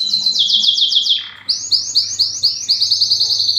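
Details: Loud breeding song of a Belgian canary aimed at attracting females: quick high descending syllables in a rolling series, a brief drop, then another run of bright swooping notes repeated at a rapid, regular pace.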